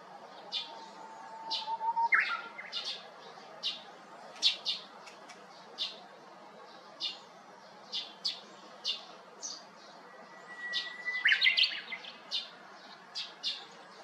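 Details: Japanese bush warbler on 7 May 2021, singing atop a cypress at an empty neighbouring house after a brown-eared bulbul gave up the perch. Two long level whistles each end in a sharp flourish, among many short high chirps.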